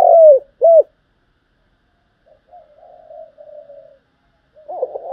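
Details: Spotted dove cooing in the thúc gù and gáy gọi styles, used to train decoy birds for trapping: two short, loud, arched coos, then a faint, soft, wavering hum, and a rough stuttering note starting at the end.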